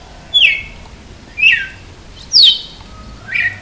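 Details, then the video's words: {'text': 'Red-cowled cardinal singing in the açoite style: four clear whistled phrases about a second apart, each a bright note sliding sharply downward, on a quiet background.'} "Galo de campina cantando de açoite"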